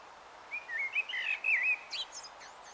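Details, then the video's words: Common blackbird warbling at dusk in Taunton, Somerset, 21 March 2018, early evening; a rich flowing phrase of mellow whistles winding up and down, ending in higher twittered notes. "BLACKBIRD @ DUSK EVESONG"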